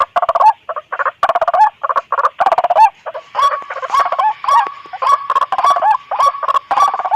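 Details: Lure recording of noisy White-breasted waterhen calling, meant to attract others that approach on hearing a companion: a dense, unbroken run of rough, nasal croaking notes repeated about once a second.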